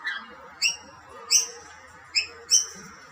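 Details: Rainbow lorikeets competing at plates of snack food, a dominant male chasing other birds away; short sharp harmonic chirps come in spaced bursts, about four in three seconds, over a low steady background hum.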